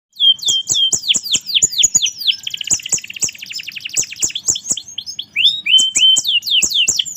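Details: Canary in full song; fast series of high downward-sweeping notes repeated several times a second, a long dense trill in the middle, then more rapid descending sweeps.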